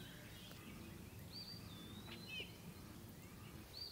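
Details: Eastern wood pewee singing a drawn-out whistle that drops and then holds steady, followed by a short curled note. Another high whistle begins near the end, with faint other chirps and low background hiss.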